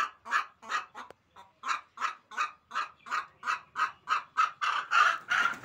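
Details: Hen giving a run of coarse, honking squawks roughly three a second, growing louder and denser toward the end, with a faint low rumble underneath.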